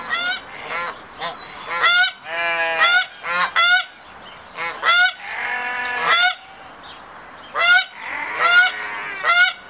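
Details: Hybrid Canada geese in courtship, a male's triumph-ceremony display to a female at the second stage of pairing: a dense run of overlapping loud honks and lower drawn-out nasal calls from more than one bird.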